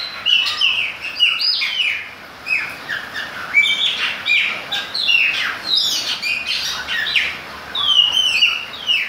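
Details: Chopi blackbird song in rainy weather: a steady stream of whistled, liquid phrases, many notes falling in pitch, delivered in quick clusters with brief gaps between them.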